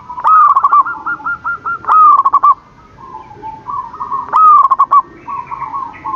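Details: Zebra dove, actively singing, heard every morning: loud bubbling coo phrases of rapid stuttering notes that first rise and then fall, given in two bursts, with softer cooing from other doves behind.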